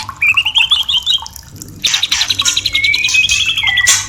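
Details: Caged white-rumped shama singing to spur breeding and mating: a fast rising series of chirpy notes, a pause, then a dense buzzy run and a long level whistle ending in a sharp burst.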